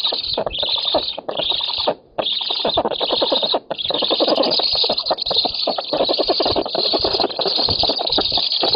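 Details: Black storks at a nest in an oak in Poland, 7 August 2018, competing for fish. Continuous hoarse, high squealing runs almost throughout, broken by a short pause near two seconds, with rapid rattling pulses underneath.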